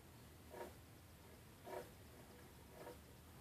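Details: Pileated woodpecker hacking at a yard tree stump on 23 May 2015 at 2:48pm: three dull, woody knocks about one a second, over a low steady background hum.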